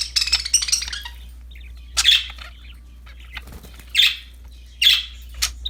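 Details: Pet budgerigars playing with a new toy: a quick scratchy chatter opens, followed by three separate harsh chirps spaced about a second apart, with soft rustling and low hum.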